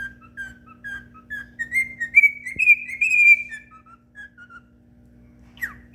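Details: Pet cockatiel (Nymphicus hollandicus) singing, whistling a tuneful phrase of clear notes that rise and then fall.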